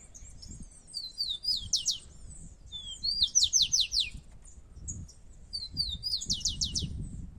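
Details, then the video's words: Two rufous-collared sparrows competing in song: three phrases, each a rising thin whistle followed by a quick burst of descending slurred notes, spaced about two seconds apart, over soft low rumble. "tico tico na natureza 2"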